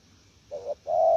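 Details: Spotted dove kept as a decoy bird, cooing in the 'gù lèo' style: one short low coo followed by a longer, slightly falling drawn-out coo, with a quiet background.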